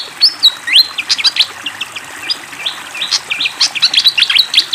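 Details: Fantail flycatcher in full, constant song with the sound of running water behind it: quick high chirps mixed with longer whistled notes that rise, dip and level off, delivered in lively uneven bursts throughout.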